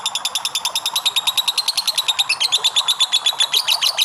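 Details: Lovebird singing a long ngekek, recorded as a prompting sound for other lovebirds: a rapid, steady chattering trill of bright, harsh notes, about eight per second, running unbroken and shifting slightly higher partway through.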